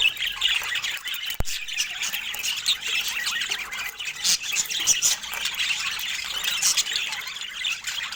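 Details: Pet budgerigars chatter as they share fruit. An unbroken stream of high squeaks and rasping squawks is heard, with a sharp click near the start.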